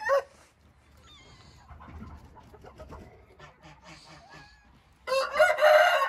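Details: A Hint rooster starts with a short crow burst, then quiet rustling and soft clucks follow, and the opening of a loud, raspy crow closes the recording.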